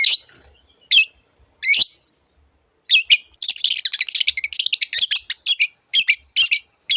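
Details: Long-tailed shrike singing a varied song: a few separate sharp notes, then a long rapid chattering run of high, buzzy chips packed closely together.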